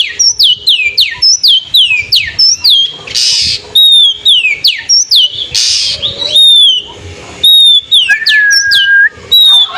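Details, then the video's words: Oriental magpie-robin singing in the afternoon to provoke rival birds: rapid downslurred whistles and sharp chirps repeated in bursts, with a long steady whistle near the end and a few harsh rasping notes. "SUARA KACER SORE HARI MEMANCING MEMANCING EMOSI MUSUH"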